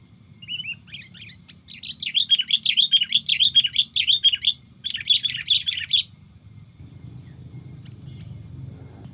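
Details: Sooty-headed bulbul recorded during bird trapping with a decoy in which a juvenile was caught; a quick series of bright, chirped notes repeated about twice a second for four seconds, then quiet with low background rumble.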